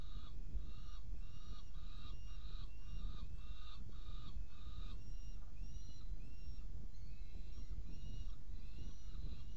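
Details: Saker falcons at a nest in Hungary during an evening feeding on 17 May 2017: a series of harsh, nasal, repeated squealing calls about every half second, then thinner drawn-out wailing notes, over constant low rumbling noise.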